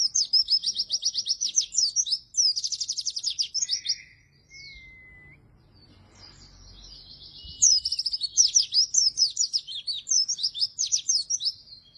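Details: Oriental white-eye singing energetically, a recording meant to lure and tutor lazy white-eyes: long runs of fast, high, rattling trills with twisting notes, broken by a short pause and a thin drawn-out whistle, then resuming vigorously.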